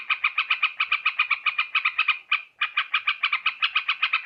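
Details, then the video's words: Yellow-vented bulbul from Borneo, sound used for luring birds: dense rattling chatter of quick repeated notes, one short pause midway, then the chatter resumes. "Suara trucukan khusus buat mikat"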